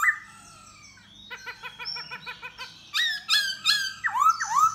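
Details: Khướu da bò laughingthrush in its song-and-dance display to lure a female, starting with a whistle, then an even series of soft tonal pulses, followed by loud rich slurred phrases and swooping whistles.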